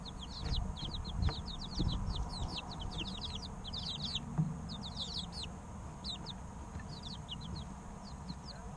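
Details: Chorus of three-week-old baby chickens peeping nonstop, many thin descending chirps crowded together in bursts, then thinning out toward the end, with a constant low hum underneath.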